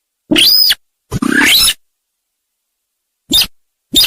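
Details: Sintar sawah call used as a trapping lure: a short harsh note with a high whistled overtone, then a longer grating, buzzy rasp, followed after a pause by two brief dry bursts. No other sounds.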